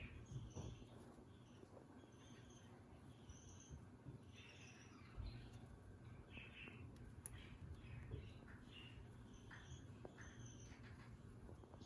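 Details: Peach-faced lovebirds, a newly acquired pair kept as pets, give soft, scattered high chirps and squeaky twittering notes in quick irregular bursts throughout, over a steady low background hum.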